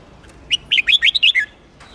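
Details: Red-whiskered bulbul of the Huế type, singing for contest training and to fire up freshly caught birds: one quick phrase of about seven clear, liquid whistled notes that jump up and down, lasting under a second.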